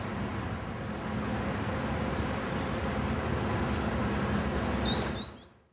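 Black-bellied Whistling-Duck giving a quick burst of thin, high whistles near the end, over a steady rumble of traffic or wind.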